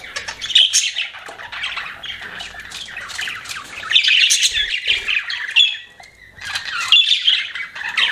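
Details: Budgies chattering as pets, a busy mix of rapid chirps, raspy squawks and warbled notes in overlapping bursts, with one brief dip into quiet near the middle.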